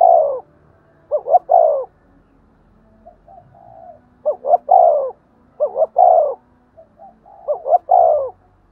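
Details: Spotted dove giving thúc gù cooing, used to lure and stimulate other doves: four low, mellow phrases, each two short rising notes then a longer falling coo, spaced irregularly with soft murmurs between.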